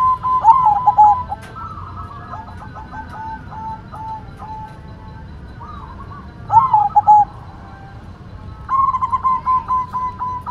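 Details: White zebra dove singing actively: loud clipped cooing phrases of short stuttered notes near one pitch, given in three bursts with quiet low hum between them.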